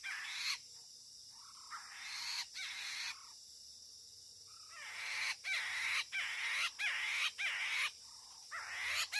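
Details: Chinese hwamei, heard close by during trapping with a lure bird, sings loud, rich phrases of slurred whistles and harsher notes, broken by short pauses and growing faster toward the end.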